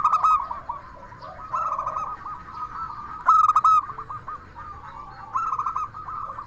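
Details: Zebra dove of local stock, an active 'crystal voice' singer used for trapping and tutoring other doves: several loud, clipped, ringing coo bursts separated by quieter rolling trilled phrases, with a fainter second dove behind.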